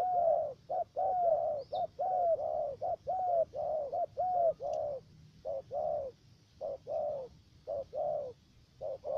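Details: Spotted dove used as a trapping decoy in the U Minh area, Khánh Hòa commune, Cà Mau, Vietnam, giving a three-part call: deep, hollow coos near constant pitch, about one per second in broken groups, over faint low rumble.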